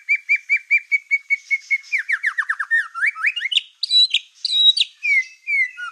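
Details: Black-tailed white-rumped shama singing to provoke rival shamas: a fast train of identical whistled notes, about four a second, shifting into rapid down-slurred chips, upward sweeps, and high piercing whistled flourishes.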